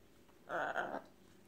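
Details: A pet military macaw gives one half-second call indoors, a hoarse, voice-like squawk with a slight dip in the middle, against a quiet room.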